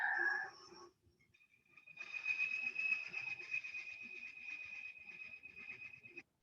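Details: Northern flicker call, strong, loud, steady and insistent despite its smaller size, similar to the pileated woodpecker's: a steady run of high, ringing notes, about four per second for several seconds. A man's voice is heard briefly before it.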